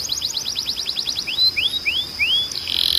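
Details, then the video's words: Canary song used to train other canaries: a quick series of short falling notes, then four slower rising whistled slurs, ending in a buzzy burst. "Melhor Som de Canário Para Treinar"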